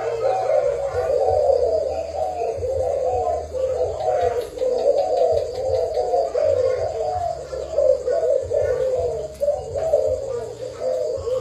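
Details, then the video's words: Spotted dove, a Thai-bred decoy bird, producing dense repeated low coos in wavering rounds, with short pauses and a constant low background drone. "Cu gáy mồi thailand"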